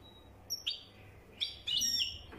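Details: European goldfinch singing in the wydani style: a few short bright chirps and a quick twittered burst, separated by quiet gaps, with faint low background hum.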